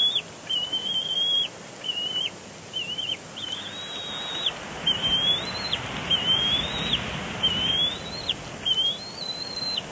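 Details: Eaglet of the bald eagle scolding its father at a Big Bear Lake nest, April 27, 2022; a long series of shrill whistled squeals, mostly flat then dropping sharply, over light rustling.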